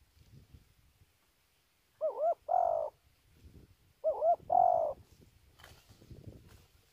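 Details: Spotted dove, Kon Tum, Vietnam, calling twice about two seconds apart. Each call is a quavering double hoot running into a longer steady coo, with faint rustling between the calls.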